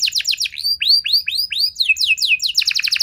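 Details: Canary in full song, meant to trigger a quick reply from other canaries. Quick ticking notes lead into four slow, looping whistled arcs, then a rapid, bright rolling trill.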